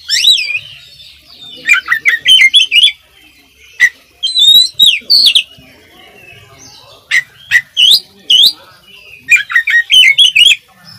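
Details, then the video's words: Lively oriental magpie-robin tutoring song full of varied fill phrases: loud bursts of rapid, swooping whistles and twittering notes in clusters, with short pauses between bursts. "suara masteran kacer gacor full isian calon juara"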